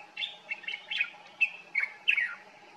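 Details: Common bulbul in Morocco in summer, one that sings every morning, giving a short series of mellow, slurred whistled notes, each one a quick falling phrase, spaced at roughly half-second intervals.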